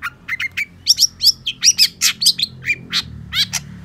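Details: Long-tailed shrike (cendet) delivering quick gacor song: evenly paced squeaky chirps and upslurred whistles, roughly four to five notes a second, with a faint low hum beneath.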